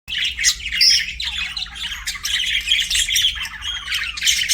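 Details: Pet budgerigars chirping, a dense, continuous chatter of scratchy warbles and squawks with brief bright whistled notes, steady throughout with no pauses.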